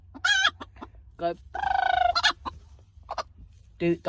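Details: A chicken being stroked by a person to make it call gives loud, harsh squawks, including one drawn-out nasal squawk lasting nearly a second, with sharp clucks scattered before and after.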